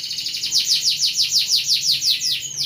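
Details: Rolling canary song for tutoring young birds: a steady series of about a dozen loud, high, downward-slurred notes, ending in a sliding note.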